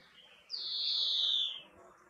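A European greenfinch gives one long, wheezy, nasal note lasting about a second that slides gently downward, over a quiet background.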